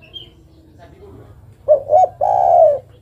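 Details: After a quiet start, a female zebra dove calling to a male gives one phrase: two short coos, then a longer steady coo.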